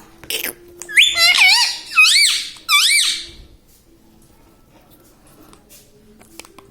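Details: Pet parrot that talks, reportedly saying 'mummy', 'papa' and 'radhe radhe'; three quick squeaky, wavy rising-falling syllables in a row like spoken words, then quiet room.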